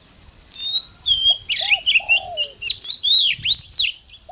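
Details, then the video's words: Oriental magpie-robin morning song used for training a bird into fired-up singing: a rapid run of varied whistled and slurred phrases, a few low mellow notes, and buzzy trills, with a steady thin high tone throughout. "Chích choè than hót sáng || Luyện choè than HÓT CĂNG LỬA"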